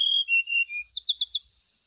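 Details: Lure song of a brown-chested jungle flycatcher, played to make a caged bird sing while it is set out in the morning dew. Two falling whistles are followed by four rapid buzzy, sweeping notes, with steady high hiss behind.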